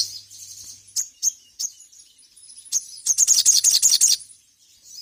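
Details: Ruby-cheeked sunbird (sogon) singing energetically in ngeriwik style, calling a rival, recorded as a training track for other birds: high, thin chirps, then a fast burst of sharp, rattling notes, with a faint low hum at the start.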